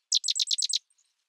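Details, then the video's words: Sedge wren: a brief fast run of seven dry, downward-slurred high notes in quick succession. "Sedge Wren Bird Sound"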